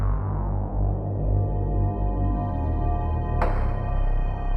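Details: Low, droning synthesizer music with sustained bass tones and a brief bright swell near the end; no animal voice.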